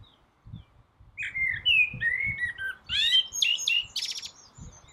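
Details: Common blackbird singing from a rooftop in the early-morning dawn chorus: low fluted, whistled phrases around the middle range give way to a rapid, squeaky high twitter in the second half, with faint low rumbling underneath.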